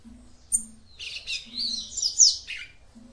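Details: Female yellow-bellied seedeater giving a call to excite her male: one sharp chirp, then a continuous high, twittering, buzzy phrase lasting about a second and a half, over a faint hum.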